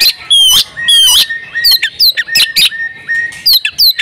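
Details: Oriental magpie-robin female in breeding condition, calling to provoke male song: strong descending whistled notes and buzzy chips repeated about twice a second, each note bold and clear.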